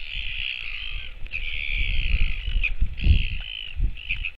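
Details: A Northern royal albatross parent, back at the nest feeding its chick on 28 July 2024, gives a drawn-out, strained, high call in long unbroken stretches, with short pauses between. Low wind rumble underneath.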